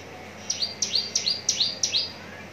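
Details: Javan bush lark kept caged in Cikupa, Tangerang and readied for singing contests, giving five evenly spaced, bright double notes, a piercing high chirp sliding down into a softer second element.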